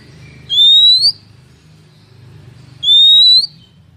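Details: Female Oriental magpie-robin luring males, used as trap bait: two pure whistled notes, each held about half a second and gently rising, spaced over two seconds apart, with a low droning hum beneath.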